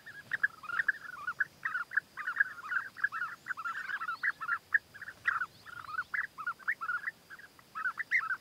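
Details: Courting European bee-eaters, a male bringing food gifts to a female: a dense, continuous chorus of short burry trilled calls from several birds, overlapping in quick succession throughout.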